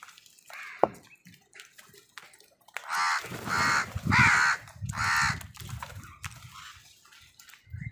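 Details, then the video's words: A run of four to five hoarse caws from crows contesting food with other wild birds, the calls evenly spaced about half a second apart over low rumbling background noise and scattered clicks. "Wild birds fight with crows for food | Crow Soud কাকের ডাক"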